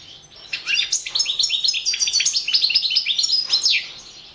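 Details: European goldfinch of the Balkan race Carduelis carduelis balcanica in a singing competition recording: quick tinkling twitter with buzzy notes and rising whistles, ending in a louder downward sweep.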